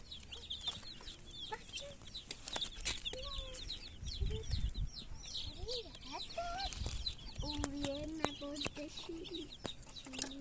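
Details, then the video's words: Many colored baby chicks crying and chirping: a dense chorus of short arched peeps repeated rapidly, overlapping constantly, with lower drawn-out tones and scattered clicks and knocks underneath. "baby chicks crying,baby chicks chirping sounds"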